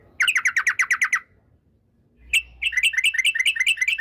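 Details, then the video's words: Yellow-vented bulbul delivering a long rolling song used as a lure: a rapid burst of about nine bubbly, chattering notes, a second of silence, then a sharp note leading into another quick rolling series. "TRUCUK Gacor ROPEL PANJANG pancingan trucuk agar BUNYI, jadikan burung trucukan BUNYI ROPEL sketika"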